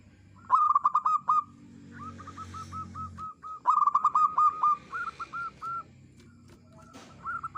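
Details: Lure song of a local village zebra dove, clear-voiced: bursts of rapid staccato cooing notes, then evenly spaced softer coos. A second, quieter dove answers between phrases over a low background hum.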